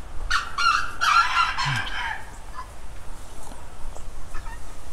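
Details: Rooster calls in a loud, harsh cluster over the first two seconds, then fading to near quiet with faint scattered sounds.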